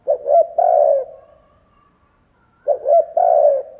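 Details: Spotted dove decoy gives its luring coo twice: each phrase has two short stuttered notes and then a longer, rich low coo, with a gap of about one and a half seconds between phrases. Quiet background.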